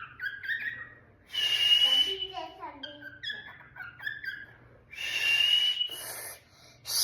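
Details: Pet cockatiel indoors giving a run of short whistled notes that step downward, between harsh, raspy bursts, with a soft hum in the room.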